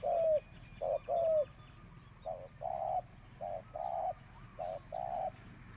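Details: Spotted dove used as a lure bird, cooing in short-long pairs; the opening phrases are loudest, followed by several softer paired coos with even spacing and little other sound.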